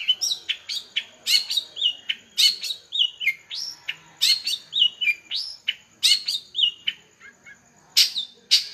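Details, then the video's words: Long-tailed shrike singing vigorously in energetic gacor style: a varied, fast run of sharp chirps, rising whistled slurs and buzzy notes near the top of the range, delivered in quick bursts with brief pauses. "Burung cendet master gacor"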